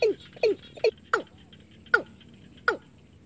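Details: Watercock calling, used as a lure to catch birds, played day and night: six short, hoarse notes, each sliding steeply downward, in quick pairs at first and then spaced about a second apart.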